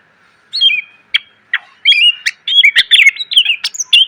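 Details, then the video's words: Greater green leafbird song for training cage birds: after half a second of quiet, scattered whistled notes build into a dense run of chips, slurs and rising whistles. "MASTERAN CUCAK IJO SUARA PLONG!!! ..penuh isian.."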